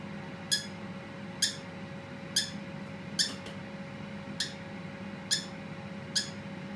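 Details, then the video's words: A small pet parrot indoors gives seven short, harsh, high squawks, about one each second, over a steady low hum. "Funny Bird Sounds"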